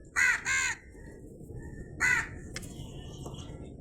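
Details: Crow giving three loud, harsh caws: two close together at the start, then a single caw after a pause of over a second, against a faint steady background hiss.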